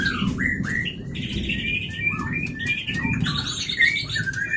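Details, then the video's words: Captive-bred white-rumped shama of the Leuser line from Pining, Gayo Lues, Aceh, Indonesia, singing sharp varied phrases: rising whistles and rich slurred notes over a constant loud low rumble of background noise. "Murai Batu Gunung leuser Aceh"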